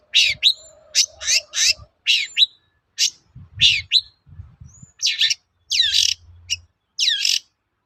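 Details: Long-tailed shrike song played as a lure to draw replies from other shrikes: a series of sharp, scratchy chip notes with quick downward slurs, spaced about half a second apart, with faint low knocking underneath.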